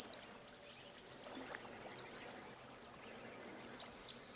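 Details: Costa's hummingbird: scattered high ticks, then a fast run of sharp chips, followed by a thin, drawn-out whistle climbing steadily in pitch and growing louder.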